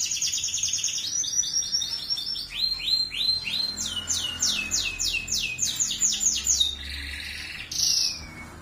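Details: Canary singing actively: high rolling trills of rapidly repeated upswept syllables, changing pace and pitch between tours, ending with a softer buzzy note and a short bright squeak; quiet background.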